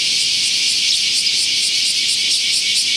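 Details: Young sparrows gathering at food at a Tenmangu shrine, 24 July 2019: many overlapping high, shrill chirps pulse rapidly and continuously in a busy, squealing chatter.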